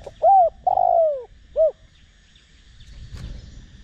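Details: Decoy spotted dove giving a cooing phrase in the Đồng Rặc voice, meant to prompt other doves to coo quickly. Rounded coo, long falling coo and short final note, then a sharp click and quiet insect hum.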